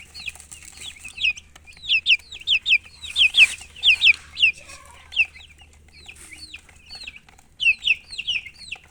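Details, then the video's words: Several baby chicks chirping: bright, high peeps that drop in pitch, delivered in rapid clusters of three to five with short pauses, over a quiet low hum. "MURGI Baby "Chicks Chirping" Sound"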